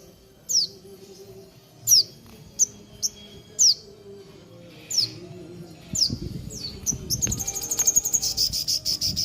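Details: Horsfield's babbler singing actively in Mojokerto: sharp, high, downward-slurred whistled notes about once a second, then a rapid, high, buzzy trill near the end over low rumbling background noise.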